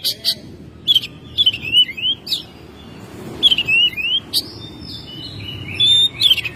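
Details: Home-kept Oriental magpie-robin in May singing: sharp chip notes alternating with short upslurred and downslurred whistles in spaced phrases, against low background noise.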